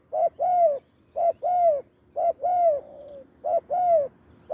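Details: Wild deep-voiced spotted dove cooing at a decoy branch: rhythmic couplets of a clipped note and a drawn-out falling coo, repeated roughly every second, one ending in a trailing soft tail.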